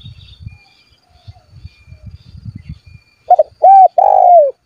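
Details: Spotted dove in full voice, calling rivals to provoke them into singing. Faint low rumbling for about three seconds, then loud clear coos: a short double note, an arched coo, and a long rolling coo.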